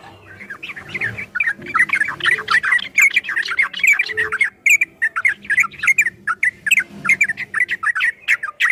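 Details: Yellow-vented bulbul in 'ropel' style song meant for training kept birds: a steady stream of short, liquid, warbled notes in quick irregular runs, loud and sustained throughout with brief gaps.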